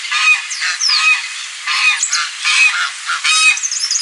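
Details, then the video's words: Series of loud, brassy goose honks, roughly seventy-five a minute in uneven rhythm, some notes short and clipped, with a few high sliding bird whistles in the background. "GANSO CANTANDO, Som de Ganso, Ganso Gritando"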